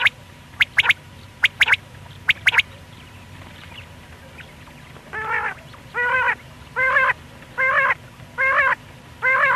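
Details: Male quail (batair), call for morning and night hunting: three quick sharp triple-note bursts, then a series of five buzzy, nasal, harmonic notes repeated roughly every 0.8 seconds.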